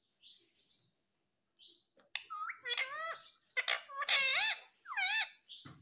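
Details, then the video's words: Household parrot credited with saying "mummy" and "papa": soft high chirps first, then a burst of speech-like, harmonic, swooping syllables and a sharp click-like sound, in irregular phrases. "बोलने वाला तोता"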